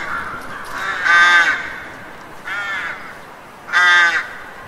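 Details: Street crows in the city cawing: three loud, harsh, nasal caws about 1.3 seconds apart, each lasting roughly half a second, following a fainter caw near the start, over a steady low hum of background noise.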